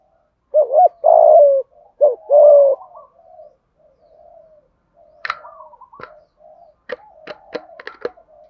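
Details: Spotted dove cooing in the thúc gù style with a hạp bổi voice: two strong, deep coo phrases open, then softer trailing murmurs mixed with sharp clicks and taps.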